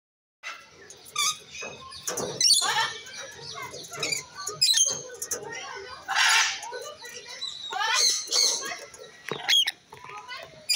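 A rainbow lorikeet gives an irregular, high-pitched stream of shrill whistles, harsh screeches and chattering notes in quick bursts.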